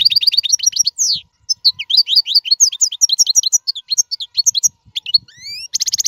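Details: Strong goldfinch song for training caged chicks: a rhythmic series of quick chirps, then a tumbling run of high twittering notes, rising whistled slurs and a closing buzzy trill, very clean.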